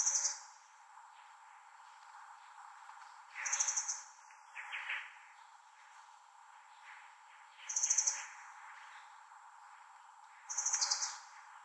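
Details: Asian brown flycatcher calling at length: four clusters of thin, very high notes, one about every three to four seconds, between softer broadband rustling sounds.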